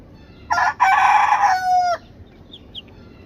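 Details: Rooster crowing in South Korea, a harsh clipped start followed by a sustained buzzy tone that dips slightly before cutting off; faint high chirps from small birds afterwards.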